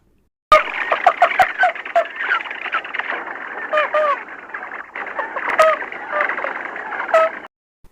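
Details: Red-knobbed coots of southern Africa give short, nasal honking and clucking notes in quick, uneven succession, several birds overlapping in a muffled, narrow-toned recording.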